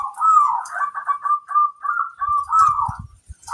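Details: Local zebra dove singing as a lure for other doves, a near-continuous run of warbling, rolling coo notes with a few faint low knocks near the end.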